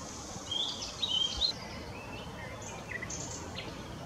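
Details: Willow warbler giving mixed singing at Whitlingham on 2 May 2017: a short run of thin, high whistled notes that slide and dip, then a few faint scattered notes against a steady background hiss.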